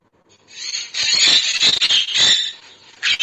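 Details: Parrot played back during a Marathi school lesson on birds: a continuous stretch of shrill, harsh, high squawking with loud peaks, and no other clear sounds.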